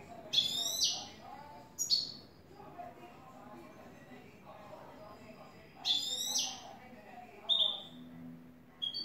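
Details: European goldfinch, a new bird, in clean 'tres vueltas' song: four short bursts of sharp high trilled and slurred notes separated by pauses of a few seconds, with a faint low hum and murmur underneath.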